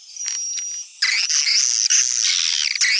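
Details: Swiftlet calling sound popular in Sumatra for attracting the birds: a faint twitter with a thin steady tone, then an abrupt switch to loud, continuous shrill chattering with rising and falling trills.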